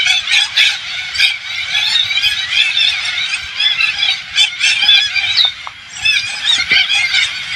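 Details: Large flock of Alexandrine parakeets, as identified by the farm owners, descending on a countryside farm in Thailand, giving nonstop harsh, grating screeches in overlapping waves, with a brief lull before the clamour resumes.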